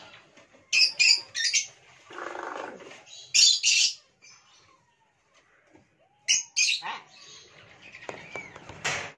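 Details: A talking hill myna mimicking human words gives loud, harsh, voice-like bursts and squawks with short silent pauses between them, plus a lower, speech-like murmur in the middle.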